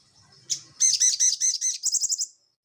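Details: Crested jay song in the lively ngeleper style, used to teach cage birds: one sharp high note followed by a rapid string of ringing looped notes, slowing into a quicker fading trill.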